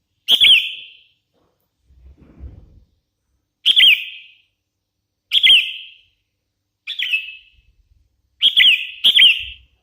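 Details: Hand-raised sooty-headed bulbul singing short bright whistled phrases with a quick downward slur, repeated six times at uneven intervals of one to two seconds; faint low rustling.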